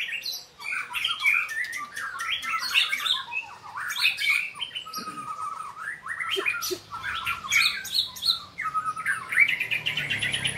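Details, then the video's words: White-rumped shama in training, singing loudly: a busy run of varied chattering and whistled phrases, with brief clicks and a rising trill near the end. "murai latihan gacorr"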